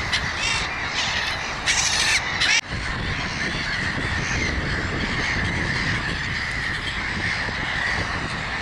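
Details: Gulls calling together in a dense, continuous chorus of harsh, overlapping cries with a strong harmonic band, a few louder bursts standing out early on and no pause between voices.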